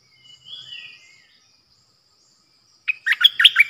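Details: Caged decoy bulbul recorded on 8 May 2021: a thin, drawn-out whistle, then silence, then a sudden burst of quick, chirpy warbled notes at the end, over a steady high background hiss.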